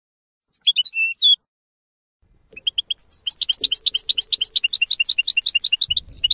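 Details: European goldfinch singing a F.O.C.S.E. training song for young goldfinches: an opening twittered phrase with a short whistle, a pause, then a long fast run of liquid repeated chirps that builds steadily.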